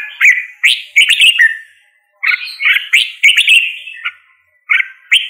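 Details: Red-whiskered bulbul giving clusters of sharp, bubbly whistled notes, each group lasting about a second and split by short quiet gaps.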